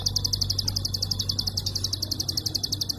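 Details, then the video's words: Prinia giving its klik call in a tight, unbroken stream, recorded for training songbirds: crisp high clicks repeated about ten times a second, evenly spaced, over a soft low hum. "Prenjak Klik Super Edan Tembakan Rapat & Panjang"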